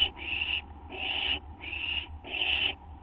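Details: Owls at a nest just after midnight on 6 September 2011 during a food delivery: four rasping, hissing screeches about half a second each, evenly spaced, over a soft low hum.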